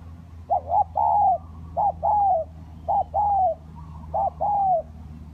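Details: Spotted dove lure recording, kacuk and kampung types: a phrase repeated four times, each with a quick double coo and then a long falling coo, about one second apart, with a low hum beneath.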